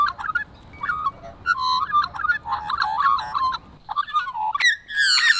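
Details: Australian magpie song gathered over a few months: bright whistled notes and quick warbling phrases strung together, with a brief pause before rising, harsher, buzzier notes close the passage.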